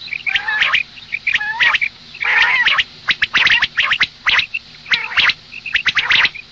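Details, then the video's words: Female common quail calling for the morning: rasping squawks with downward-bending harmonics, alternating with quick, sharp clicks in tight groups, almost continuous throughout. "Madi batair ki awaz suba ke liye مادی بٹیر کی آواز"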